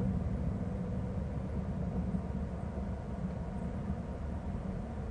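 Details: Continuous low engine or vehicle drone with a faint hiss across the upper range; no animal voices stand out.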